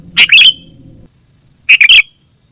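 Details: Sooty-headed bulbul trapping lure: two bright chirp bursts about one and a half seconds apart, each several rapid sharp notes sliding downward, with brief low rumble early on.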